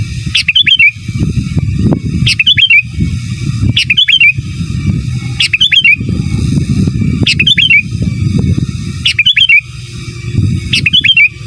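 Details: Sooty-headed bulbul singing in the lively gacor, giras and menggaruda style used as master song for training other birds: short bright warbled phrases rising and falling, repeated about every two seconds over a steady low rumbling background.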